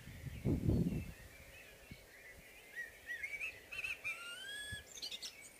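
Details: A Common blackbird (Turdus merula) sings its morning song: mellow, fluted whistled phrases that glide up and down, ending in higher squeaky twitters. A low rumble of wind or handling comes at the start.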